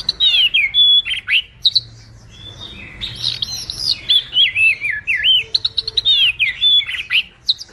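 White wagtail song: a lively, high twittering of quick chirps and slurred whistles, rising and falling in short bursts with brief pauses, over a quiet background.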